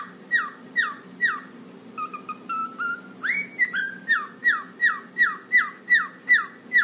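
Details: Cockatiel kept as a pet, swinging on its toy and responding to cockatiel song: a few falling whistles, then short chirps and a rising whistle, then a steady train of downslurred whistled notes over a low background hum.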